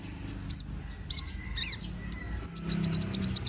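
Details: Young konin bird in feather growth, bald-headed, singing hard: scattered high, sharp chirps and brief slurred notes, ending in a fast run of tiny ticking twitters, over a low hum.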